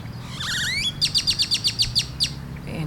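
Great-tailed Grackle giving a rising, wavering whistle followed by a rapid series of about ten sharp, metallic clicks, roughly eight per second; faint background hum.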